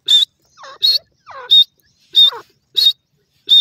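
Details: Grey francolin kept at a bird breeding farm during the breeding season, giving loud, shrill, piercing notes roughly every 0.6 seconds, with lower, wavering, descending calls in the gaps between them.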